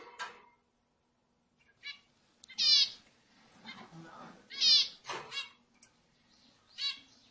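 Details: Zebra finch sounds used to excite other birds: loud, nasal, harmonic call notes, some in quick pairs, scattered irregularly over a quiet background with a faint steady hum.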